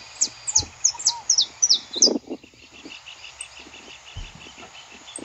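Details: Wild saffron finch recorded live in nature, singing a quick run of about ten sharp, high, downward-slurred chips over two seconds, then softer distant notes continuing over faint background noise and low thumps.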